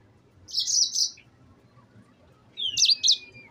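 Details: Two short, high twittering phrases from a yellow-fronted canary, known locally as sanger or mozambik, separated by a quiet pause; the second phrase opens with a thin descending whistle before rapid trilled notes. Faint low hum underneath.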